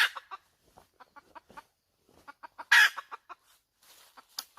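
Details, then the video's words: A hen gives a short, broken cackle: scattered soft clucks, then one loud, raspy squawk, followed by more clucks and a fainter, harsher burst near the end. "Suab poj qaib tsauj dib tuaj zoo heev"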